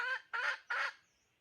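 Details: Hen kept as a decoy chicken giving three harsh, broad squawks in quick succession, each short and loud, then silence.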